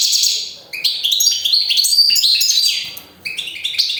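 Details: European goldfinch singing: rapid, tinkling twittered phrases of high, bright notes that break into short bursts, with a brief pause near the middle and fast jumbled warbling before and after.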